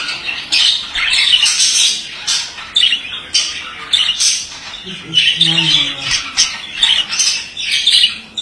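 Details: Male budgerigar pouring out a long, rapid warble of chirps, clicks and scratchy whistles in bursts about every half second, with a brief low gurgle midway.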